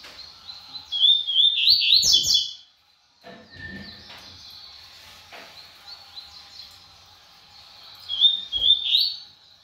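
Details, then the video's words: A brown double-collared seedeater shows its speed with a fast tumble of high, sharp notes for about two seconds. A quieter thin trill follows, then another rapid, rising flourish near eight seconds. "COLEIRO PARDO GUMP MOSTRANDO SUA VELOCIDADE"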